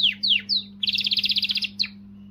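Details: Canary singing to motivate females: three swooping downslurred whistles, then a quick bright stuttering trill of about a dozen notes and one final downslur, with a faint low hum.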